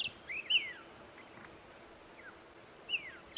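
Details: White-browed Scrub Robin, a skulker calling unseen from dense thicket on an early-morning (about 5:30 AM) October safari drive, gives short, high, slurred whistles, a quick rising-then-falling phrase repeated after about two and a half seconds, over a soft steady hiss.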